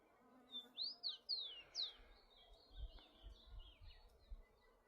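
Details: Rufous-collared sparrow singing freely in nature: a thin introductory whistle, four emphatic down-slurred whistles, then a soft high dry trill trailing off, over low intermittent rumble.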